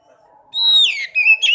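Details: Sekoci song used as a lure to get a reluctant caged bird singing: a long high whistled note that slides downward into a burst of sharp chirps, then another bright whistled phrase.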